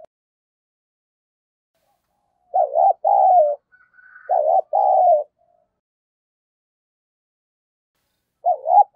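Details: Spotted dove decoy calling: after a silence, two quick loud double coos, a trembling note then a falling one, a faint higher tone between, then another wavering note at the end.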